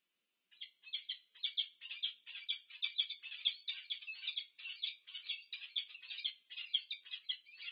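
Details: Peregrine falcon pair meeting at their nest on the UC Berkeley campus, USA, on 2 November 2022, filmed by a nest camera: a rapid, harsh, scratchy chattering repeated about twice a second, running continuously for several seconds with no other sounds.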